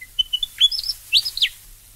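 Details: A Willie Wagtail in Australia gives a quick run of short, sweet whistled notes, then a few louder slurred phrases, all high-pitched and clear, with no other sounds.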